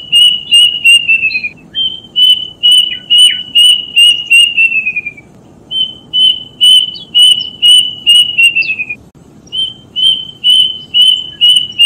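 Plaintive cuckoo singing a series of clear high whistles, about two per second, each phrase ending in a quick descending slur; faint low background hum.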